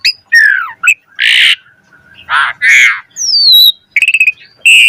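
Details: Asian pied starling (jalak suren) singing loudly in the 'gacor mompa' style with rich 'isian' fill-in phrases, used to stir other starlings into song: harsh buzzy bursts alternate with slurred whistles and a rapid stuttering series.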